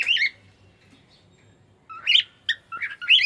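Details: Pet cockatiel singing: a loud squawky whistled phrase, a pause with only low hum, then a quick run of bright chirps and warbled notes rising and falling.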